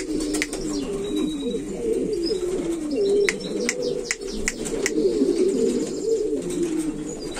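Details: Low, rolling coos from a Buchón valenciano antiguo pigeon, a breed selected for flight and display. They run almost unbroken, with scattered clicks and a faint high whistle.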